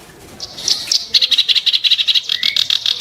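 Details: Kerak basi (reed warbler) giving a brief sharp, coarse 'tembakan' burst: a few thin notes, then a quick regular rattle of harsh chirps, about eight per second.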